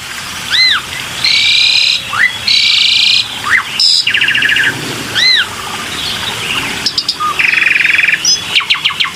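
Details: Black-winged myna in a lure recording: arched double whistles, harsh buzzy rasps, a rattling trill and sharp clicking notes, delivered in loud separated phrases.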